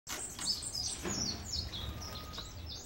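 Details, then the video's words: Caged Cuban bullfinch perched on a hand, singing: thin, high, tinkling notes in quick run-on phrases over a steady low hum and background noise. "Negrito EL MEJOR DE CUBA CANTANDO CON LA MANO"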